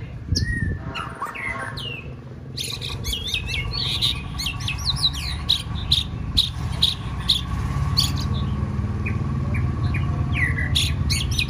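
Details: Caged white-rumped shama being trained to sing for a contest. It opens with scattered whistled and slurred notes, then gives a fast run of sharp clicking notes at about two per second, over steady low hum.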